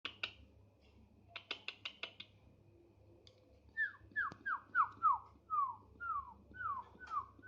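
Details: Tame thick-billed heleia, singing freely: after a few dry clicks and snaps, a run of about ten slurred, down-falling whistled notes follows at a steady pace, fairly quiet over a low indoor hum.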